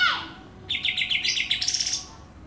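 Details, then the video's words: Greater green leafbird, Banyuwangi and Kalimantan birds compared for song content: a quick downward sweep, then a fast run of bright, evenly spaced chirping notes lasting about a second. "Bongkar isian, Cucak Ijo Banyuwangi vs Cucak ijo Kalimantan"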